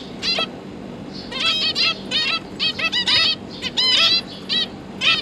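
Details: Parent zebra finches feeding three fledged juveniles that have just left the nest and are practising flying, October 2022: dense run of nasal, buzzy calls, many in rapid succession and overlapping.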